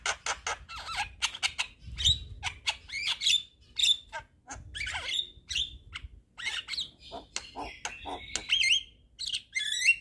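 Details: Energetic Javan myna song with head-nodding and abundant fill-in phrases: grating squawks and rattles interspersed with thin high whistles and a few wavering trilled notes near the end.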